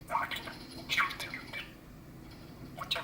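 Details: Pet male budgerigar, 11 years old, murmuring to himself indoors in midsummer while backlit by bright sunlight; short soft chirps and warbled notes in scattered bursts, with faint dripping and room noise between them.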